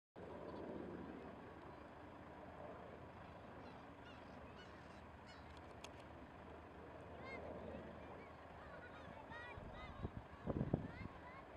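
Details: Black-tailed gulls resting on rocks at Nagai coast, Miura Peninsula, on 22 July 2013 give nasal, cat-like mewing calls, a few scattered cries and then a louder burst near the end, over steady surf and wind.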